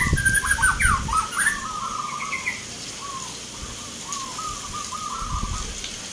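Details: Local zebra doves at an Indonesian singing competition in Yogyakarta on 19 November 2023, judged on the Mentaraman Nglagu Ngepat rhythm style. Rhythmic cooed phrases run steadily after louder mixed bird calls and low thumps at the start.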